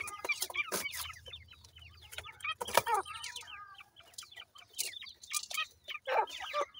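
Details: Dakhni teetar, or grey francolin, chicks feeding and playing chirp busily with rapid, falling peeps in runs. A few loud broadband knocks and a brief low hum mark the first seconds.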